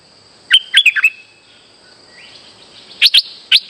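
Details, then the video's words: Streak-eared bulbul lure call for trapping, an active singer: a cluster of four sharp whistled notes, a quiet stretch with a faint rising slur, then two brief pairs of high clipped notes, over a constant high hum. "Suara pikat merbah lekir gacor"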